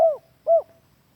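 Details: Spotted dove lure call used as a master sound for training captive doves at home: two short low hooting coos, each slightly falling, about half a second apart.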